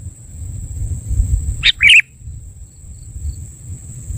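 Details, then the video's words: Trapping lure sound of a sooty-headed bulbul: one short phrase, a sharp note followed by a fluttering, chattering trill, amid low background rumble and a persistent thin electronic-like whine. "Suara Pikat Kutilang"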